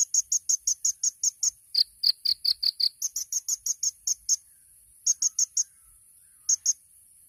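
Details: Sunbird, known locally as kolibri ninja, singing a 'tembakan' style song for training: a nearly unbroken string of high, clipped chirps, with a lower-pitched run in the middle, then a few sparse notes at the end.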